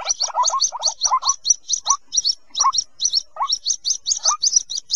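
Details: White-breasted waterhen (Amaurornis phoenicurus) chicks give a rapid, steady stream of thin, high double peeps broken by lower, husky chirps about twice a second; used as a lure for waterhens that stay in bushes.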